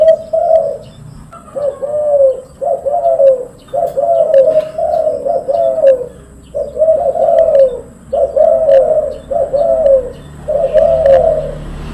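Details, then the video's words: Silver spotted dove cooing loudly and persistently: a near-continuous run of about ten mellow, husky coos, each roughly a second long, with short gaps between; steady low background noise. "derkuku suara keras derkuku silver rajin gacor"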